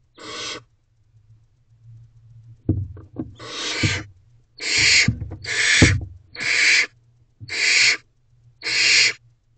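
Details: Barn owl nest box at night, 10:51 pm on 5/2/23, during a food drop-off for the owlets: a series of harsh hissing screeches about every second, with thumps and scraping.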